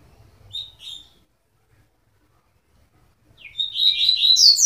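A Double-collared Seedeater gives two high notes, then pauses and bursts into a fast, tumbling, high-pitched twittering song that fills the last second and a half.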